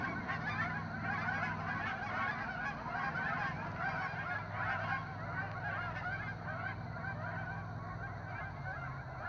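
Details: Hundreds of geese honking continuously, a dense overlapping chorus of harsh nasal calls with no pauses, over a low steady rumble.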